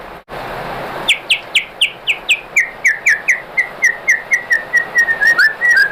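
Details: White-rumped shama singing to provoke other shamas into answering: a long steady series of short clear whistled notes, about four per second, gradually sliding lower in pitch and ending in a faster burst.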